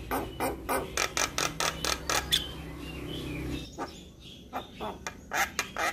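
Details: Javan myna tutor song meant to spur young birds into responding: a fast, fairly even train of sharp clicking notes, a short pause, then scattered chacking calls with faint background hum.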